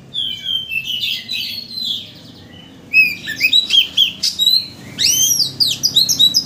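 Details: Oriental magpie-robin lure song, played to excite a bird into singing its full repertoire: a rich, varied phrase of slurred whistles, then a pause, then quick bursts of rising and falling sweeps and sharp chirps over a faint low hum.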